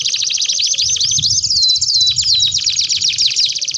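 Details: Long-singing canary on a training master track, delivering dense high rattling trills with a few clear whistled slurs layered through the middle of the phrase.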